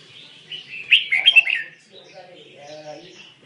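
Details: Red-whiskered bulbul singing a mixed-voice song, called tạp giọng Songkon: a brief burst of bright, warbled chirps lasting about a second, followed by faint low murmuring.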